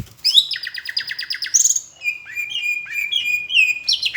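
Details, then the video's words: Tutor song of a greater green leafbird from Palembang with Asian brown flycatcher mimicry: a rapid buzzy trill of repeated notes for over a second, then steady whistled phrases and sharp high chips. "Masteran cucak hijau rasa sikatan londo"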